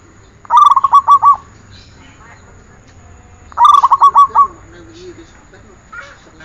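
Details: Zebra dove singing on a training recording: two phrases of clear, rapidly repeated coo notes, each lasting about a second and spaced three seconds apart, with faint chirps afterward.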